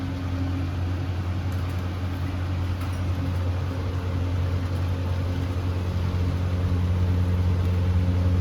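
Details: A steady low droning hum, like a motor or fan, fills the recording without any animal calls.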